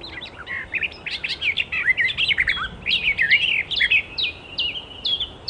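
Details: Icterine warbler in the wild, a melodious, lively song: a fast, varied jumble of whistled, slurred and chattering notes, high-pitched and continuous, with many rapid phrases following one another.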